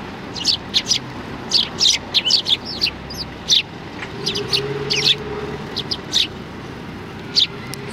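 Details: Sparrows coming to be fed at Tenmangu shrine, 16 January 2020, give spaced, sharp single chirps and short pairs over a low background hum.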